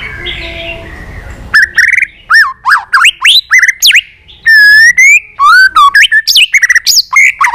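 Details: White-rumped shama training its long forest-style competition song: after a faint start, clear looping whistles, slurred rising and falling notes and a long sustained whistle follow in a rich, varied sequence.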